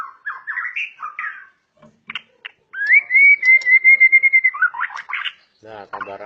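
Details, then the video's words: White-rumped shama, a super-grade bird prized by hobbyists for an aggressive, lively style, sings short warbled whistles, then holds one long, slightly wavering whistled note before breaking into quick chattering phrases and a harsh rasping end. "Kelincahan MURAI BATU SUPER dalam berkicau"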